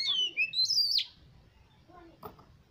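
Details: Oriental magpie-robin (kacer), a competition bird, with song played as a lure to spur other competition birds into singing: about one second of loud, varied whistled phrases sliding high and dropping sharply, then faint human voices.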